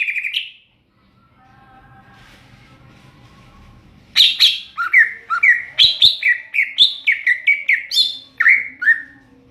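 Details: Greater green leafbird in ngeplong song: after one opening whistle and a pause, a fast run of about a dozen loud clear whistled notes, each sliding downward, delivered roughly two per second.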